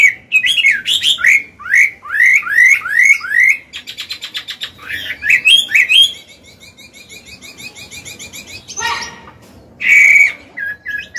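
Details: Old Chinese hwamei in wild-style song for training caged birds; repeated upswept whistles in a steady string, a fast rattling trill, softer chatter, then a final loud whistled note.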